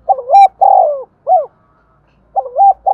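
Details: Spotted dove with the 'giọng đồng' voice style, used as a lure to draw and provoke wild doves. It gives low, hollow three-part coos: a short double note, a long rolling coo and a clipped end note. A second phrase begins near the end.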